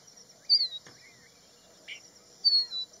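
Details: Crested bunting on Haidakhan Road giving two loud, high, downward-slurred notes about two seconds apart, with softer lower slurs and a brief buzzy note between, under a steady high insect whine.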